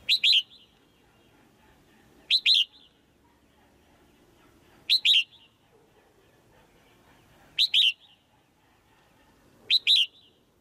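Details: Caged female bird giving sharp high 'chiak' calls to spur a male into louder singing: five bright double chirps, each pair quick and clipped, spaced about two to three seconds apart over near silence.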